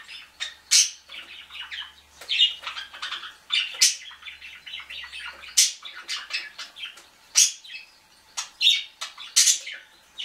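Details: Canary begging for food from a budgie: dense, squeaky chatter with harsh high squawks at irregular intervals, layered over continuous softer twittering, with no other sounds.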